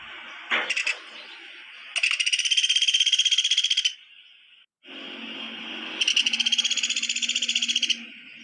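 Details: Woodpecker calling: a short pulsed burst, then two long, fast, harsh rattles of about two seconds each, separated by a pause, over a steady high hiss in the background.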